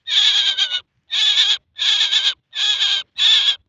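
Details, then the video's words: Male common myna producing five scratchy, buzzy call notes of about half a second each, separated by short gaps, in a fairly regular sequence. "Mynah and talking sound . Maynah birds video l Mynah voice male l Maynah ki awaz"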